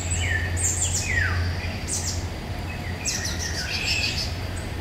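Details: Eurasian golden oriole song in woodland, May 2021, recorded on a Nikon Coolpix P1000: two mellow downward-sliding whistled phrases about two seconds apart, among sharp high chirps of other birds over a constant low rumble.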